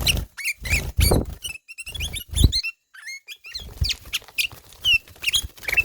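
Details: Kutilang emas, or ruby-throated bulbul, singing ngelowo style: quick twittering phrases with short whistled notes and upslurs, separated by heavy low knocking bursts and brief pauses.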